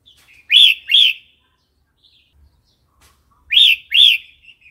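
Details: Red-whiskered bulbul giving wild-style song for training young and wild-caught birds: a loud pair of arched whistled notes, a long pause with faint chatter, then the same pair repeated.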